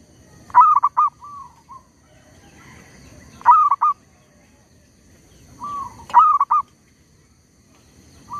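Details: Zebra dove used as a decoy for trapping wild birds, calling boldly though a tree squirrel disturbs it. Loud stuttered coo phrases repeated every few seconds, each trailed by softer drawn-out coos.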